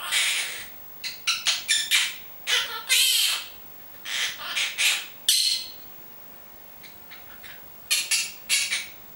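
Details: Pet monk parakeet indoors, known to repeat its name and Italian words, utters clipped raspy syllables in clusters, one longer rasping phrase near the middle, then a quieter stretch and a final burst of squawks.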